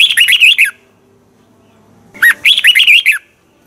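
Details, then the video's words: Morning song of a red-whiskered bulbul in the twisted double-voice style used to train other birds: a warbled phrase, a pause of about one and a half seconds, then a second phrase opening with an upward whistle. "Luyện chào mào hót sáng 2020, Giọng kép xoắn 6789 Quá hay hót căng lửa, luyện chào mào hót"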